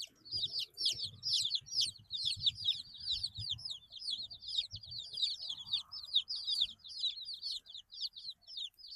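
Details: Chorus of 8-day-old baby chickens giving rapid, high, downward-sliding peeps, many chicks calling at once, about two notes a second from each, with soft low rustling and tapping in the background.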